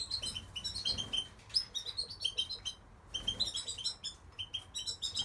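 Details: Goldfinch singing in quick bright chirps and twitters, with a brief pause partway, over faint low hum.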